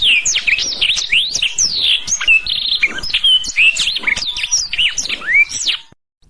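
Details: Black-throated canary song used as a tutor recording for training canaries: a fast, continuous run of high whistled notes, sweeping up and down, with rapid trills and chirps, ending abruptly in silence near the close.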